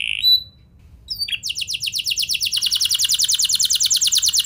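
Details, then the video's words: Canary song intended to make other canaries join in: a short whistled note and brief chirp, then a sustained, very rapid and regular rolled trill that grows louder. "Pancingan Ampuh Bikin Kenari Lain Bakal Ikut Gacor Do0r Dengan Pancingan Ini! Langsung Nyaut Ngeroll"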